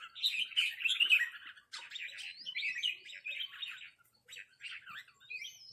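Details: Rik calls from red-whiskered bulbuls answering a resident bird: bursts of rough chattering, a short pause, then scattered notes and a closing upslurred whistle.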